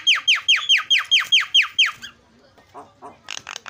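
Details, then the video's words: Starling recording used as a lure to get silent starlings singing and chattering: a fast run of about eight loud, downward-sweeping notes, roughly two per second, then softer scattered chatter and a few harsh buzzy notes. "SEKALI PENCET JALAK LANGSUNG PADA CEREWET"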